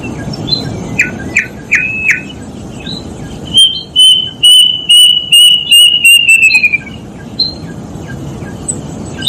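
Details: A few short chirps from another bird come first. Then a plaintive cuckoo whistles a quickening run of notes that falls in pitch at the close, followed by quiet background.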